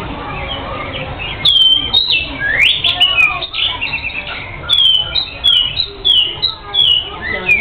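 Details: Oriental magpie-robin (kacer) singing in lively 'gacor' style: a rapid run of clear, high whistled phrases with sharp upslurs and downslurs, bursts of varied notes and short pauses, over faint background hiss.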